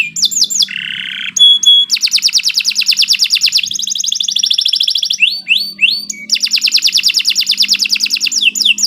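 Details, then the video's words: Sharp, long canary song meant as a training master for future champion birds, made of dense high rattling trills, a lower churring roll, and quick rising whistled slurs strung together almost without pause. "Kicau Burung Kenari 114 II GACOR PANJANG Cocok untuk Masteran"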